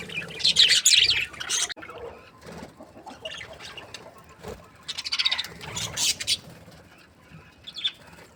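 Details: Bursts of loud, high twittering and squeaky chatter from happy budgerigars alternate with quieter gaps of scattered single chirps.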